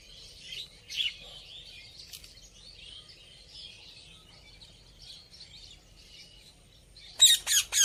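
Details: Ringneck parrot ending with three loud, sharp, high squawks in a rapid cluster after several seconds of faint scattered chirps.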